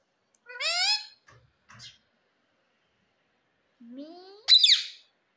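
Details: Pet ringneck parakeet during talking practice utters a harmonic, speech-like phrase, goes quiet, then a rising note ending in a sharp shriek.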